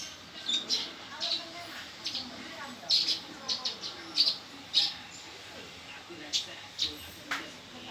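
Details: Male Eurasian tree sparrow in a fight, producing irregular sharp high chirps, single notes and quick doublets spread across several seconds over a soft background hiss.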